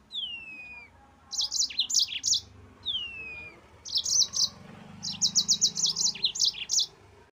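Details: Yellow-fronted canary singing in ngerol style for a cage-bird master recording: a drawn-out descending whistle opens two phrases, each followed by bursts of sharp high chirps, with short gaps between.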